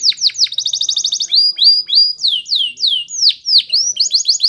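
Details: Canary training song: a quick rattling trill, then clear whistled notes, some rising, some sweeping sharply downward, repeated several times a second, closing with short trills.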